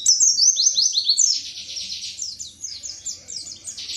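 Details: Pleci, an Indonesian white-eye, in wiksar tembakan materi song: a fast string of high descending whistled notes, about three per second, flowing almost without pause and fading slightly toward the end.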